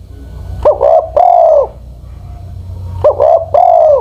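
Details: Old decoy Spotted dove, over ten years old, repeating its deep cooing phrase twice: a brief stuttered opening followed by a sustained hoarse coo, with faint low background hum.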